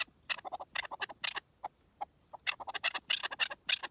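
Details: Wild partridge calling in the wilderness, recorded live: quiet clusters of clucking, chattering notes in short bursts separated by brief pauses.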